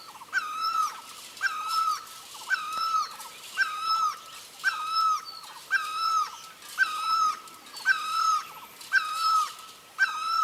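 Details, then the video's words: Great barbet (Psilopogon virens) calling for a mate in the countryside gives loud, mellow, two-part wailing notes, repeated steadily about once a second with a slight downward inflection. "ນົກຕັງລໍ ຮ້ອງຫາຄູ່"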